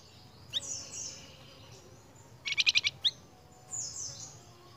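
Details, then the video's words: Flamboyan bird on a training lure for cage birds: a short, rapid, buzzy trill burst mid-clip between thin high squeaky notes and brief upward chirps, over faint low hum. "PANCINGAN BURUNG FLAMBOYAN YANG GACOR"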